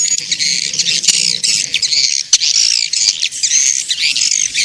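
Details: Swiftlets, in a lure recording meant to bring them to nesting houses: a continuous tangle of high chirps, twitters and short slurred whistles, punctuated by sharp clicks.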